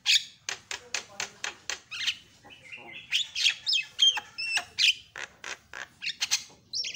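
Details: Javan myna stirred into noisy calling by a lure sound: rapid series of harsh clicking, rasping notes mixed with short whistles and slurred squeaks, continuous for seven seconds.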